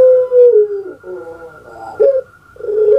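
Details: Kept puter pelung dove delivering its long pelung-style coo: a loud sliding note that falls away, a softer rolling gurgle, a sharp rising kwok, then another drawn-out coo.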